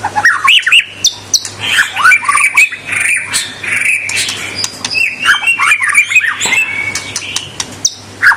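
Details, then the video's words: White-rumped shama (murai batu) singing persistently, used to provoke rival shamas: a dense, varied stream of rich whistles, slurred notes and quick chirps, mostly high-pitched, with short pauses around two seconds and near seven seconds over a steady low hum. "Suara kicau murai batu super gacor.Membuat Murai lawan mbagong"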